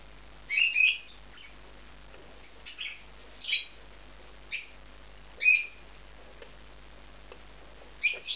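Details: Pair of bonded male budgies settling into a nest inside a special aviary compound, giving scattered short high chirps and squeaky notes spaced about a second or more apart, with soft rustling between.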